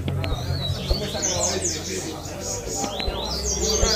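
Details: A Double-collared Seedeater (coleiro) sings high, quick sweeping whistled notes in short bursts at a bird-singing competition, while men talk loudly close by.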